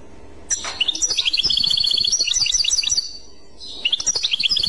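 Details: Clochette song from a European goldfinch: a rising note opens a high, fast jingling phrase of trills and twitters lasting over two seconds, then a brief gap before more twittering begins.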